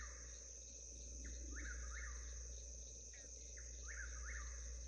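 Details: An Eastern Whip-poor-will in the Alabama black belt, at 5 a.m. just before daylight, repeats its rolling three-part whistle, rising at the end, about once a second, over a steady ringing chorus of night insects and a low hum.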